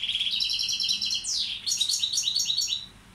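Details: Song of a European goldfinch of subspecies balcanica kept as a tutor: a steady buzzy trill of fast repeated notes, then a sharp downward sweep and a run of bright chattering notes that fades toward the end.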